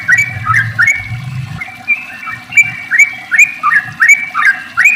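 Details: Sooty-headed bulbul lure song in long rapid 'ropel' style to get other bulbuls singing: quick bubbly phrases, each a rising then falling whistle, repeated nearly three times a second over faint low noise.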